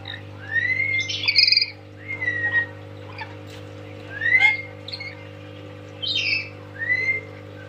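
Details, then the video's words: Tame parrot giving rising whistled notes alternating with short raspy squawks, in phrases every one to two seconds, over a steady low hum. "Kicauan Nuri Cia...Nyaring dan Joget"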